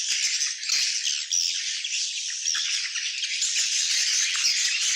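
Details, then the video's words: Swiftlet colony calling loudly and without pause, a harsh, high, crackling twitter made of many overlapping voices. "SUARA ASLI KOLONI WALET"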